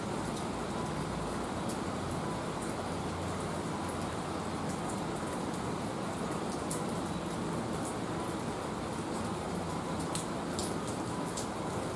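Steady rain falling on surfaces at a rest area, with a low hiss throughout and distant traffic.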